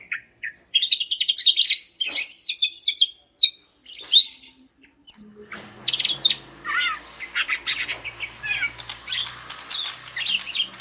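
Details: Greater green leafbird (cucak ijo), the female voice that draws males, played for silent males: quick high chirping phrases, then varied whistles and slurred notes over a rougher background hiss and low hum.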